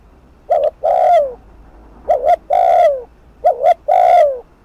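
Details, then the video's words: Spotted dove on the decoy giving rapid provoking coos to stir a rival. Three phrases arrive close together. Each is a brief two-part note, then a drawn-out, falling, hollow coo. "Cu gáy Thúc Gù TỐC ĐỘ kích bổi/kích mồi nổi điên gáy ngay"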